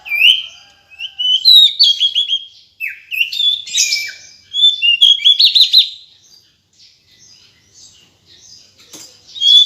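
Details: Calls of a female Decu, a string of high whistled phrases mixing upward sweeps with rapid stuttered note clusters, several bursts in a row, then quieter scattered chips near the end.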